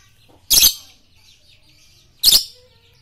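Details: Two loud, raspy, high-pitched lovebird shrieks almost two seconds apart, each quickly fading, with a soft low hum beneath; from a masteran training song for morning, noon and night.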